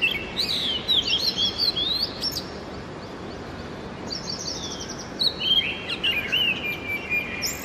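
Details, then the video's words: Oriental magpie-robin in early morning, singing a rich, varied sequence of whistled notes and twittering trills with swooping rises and falls, a short pause midway, then more bright phrases; soft hiss behind. "Music of the Oriental Magpie Robin Copsychus saularis - sighting and call"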